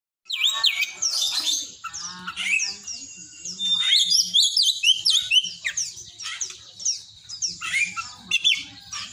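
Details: Oriental magpie-robin song with mimicry of the cinereous tit, a rapid tumble of varied high whistles, slurred chirps and short trills, broken by brief pauses, with a faint low hum underneath.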